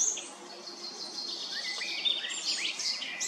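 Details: Eurasian blackcap singing varied songs in Remscheid on 10 June 2022: rapid, high, scratchy chatter with thin rising and falling notes, a louder burst of tumbling phrases near the end.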